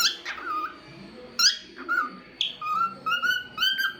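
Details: Singing pet cockatiel, a talkative bird making varied sounds: a sharp rising squawk-whistle, then a run of clear, level whistled notes repeated about every half second, rich in overtones, in a small room.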